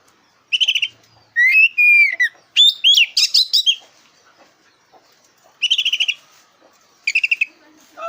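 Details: A black-breasted kacer (oriental magpie-robin), kept to provoke competition birds, delivers slurred whistles and jumbled rising chips, then two short rapid buzzy trills after a pause.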